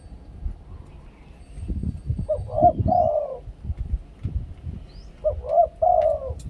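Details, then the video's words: Spotted dove used as a decoy caller, singing the two-kuk 'khu-ang' style: two soft, mellow coo phrases, each two short rising notes and a longer throaty coo, spaced about three seconds apart over low rumbling background noise. "นกเขาใหญ่ 2 กุก คูอ่าง เสียงต่อชัดๆ"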